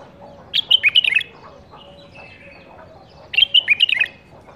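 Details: A caged, captive-bred bulbul from the 2018 season pours out two rapid warbled phrases nearly three seconds apart, bright notes rising and dropping in quick succession, faint chirps between.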